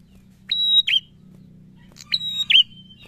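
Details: Prinia song with two whistled phrases, each a thin sustained high tone snapping into a short falling-rising twist, separated by a pause of over a second; a low humming background persists.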